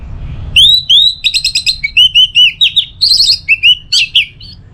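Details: Orange-headed thrush, recorded to tutor a kept bird's teler song: a continuous fast flow of clear whistled notes, each rising or slurred, delivered in an unbroken chattering run at an even pace.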